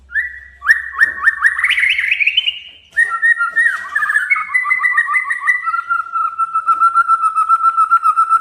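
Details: Male white-rumped shama song meant to challenge and anger a rival bird: rapid rising whistled trills, a sweeping upward run, then a long series of fast repeated mellow notes held at a steady pitch.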